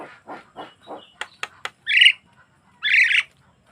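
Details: Javan myna song recorded for prompting other mynas to sing: a series of soft husky notes, three sharp clicks, then two loud harsh squawking bursts about a second apart.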